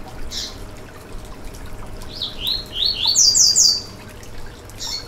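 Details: Yellow-bellied seedeater song for firing up another bird: a separate high note, then a fast ascending series of sharp slurred chirps ending in bright high notes, with another high note at the close. Light background hiss.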